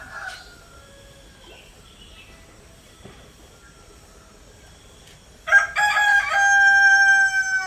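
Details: In the morning, after a few quiet seconds with faint background sounds, a rooster lets out one loud, harsh, drawn-out crow that carries to the end; chicken.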